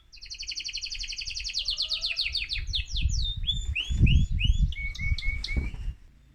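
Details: Song of an excited male mosaic canary, meant to stimulate other birds: a long rapid trill slows into looping whistled notes, ending in short repeated flat whistles, with low background rumble.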